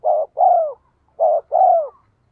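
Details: Spotted dove decoy coo for calling wild doves: two clean pairs of notes, each a short coo then a longer mellow coo sliding downward, in a quiet setting.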